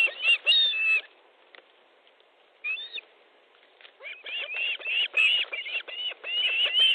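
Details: Osprey nest in Estonia, 13 July 2014, 19:30, fish being delivered: a few sharp whistles, a near-silent stretch, then a quickening string of arched, piping cheeps about four per second.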